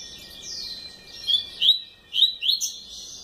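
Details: Double-collared seedeater kept as a cage bird, a long downward slurred whistle followed by sharp upswept chips and bright whistled notes, with a faint steady hum behind.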